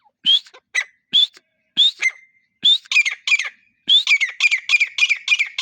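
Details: Grey partridge (teetar) in breeding season giving loud, clear rising whistled notes repeated about once a second, then a quick run of overlapping ringing notes near the end; no other sounds.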